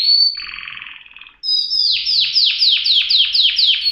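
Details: Canary song: a high whistle and a buzzy, rattling trill, then a loud series of about ten quick, high notes, each dropping sharply in pitch, repeated steadily about every quarter second.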